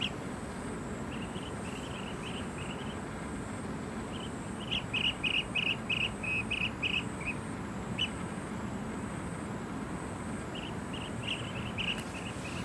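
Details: Blue-tailed bee-eater calling in Singapore: short trilled notes given in quick clusters, loudest around the middle, over a strong, steady background roar.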